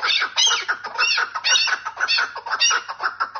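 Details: Female chukar partridge calls: loud, raspy chuck-like notes in quick irregular bursts roughly once a second, with harsh squawky overtones and steady chattering between them.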